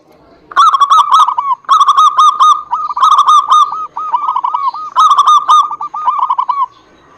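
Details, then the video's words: Zebra dove lure recording for birds reluctant to sing: after a hush, sustained rapid hooked cooing notes run in several loud bursts almost without pause, then quiet returns. "PANCINGAN SUPER AMPUH UNTUK PERKUTUT MALAS BUNYI"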